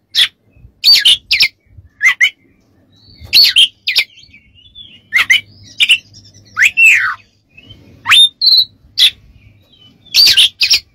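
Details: Varied song of an Oriental magpie-robin, meant for tutoring other songbirds: bursts of sharp chips, rising and falling whistled slurs and scratchy notes, delivered in quick clusters with brief silences between them.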